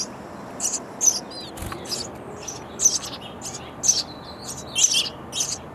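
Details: Young sparrows begging loudly in a nest box as adults ferry insects; scratchy high chirps about once a second, a few thin slurred notes and a soft thump mid-way.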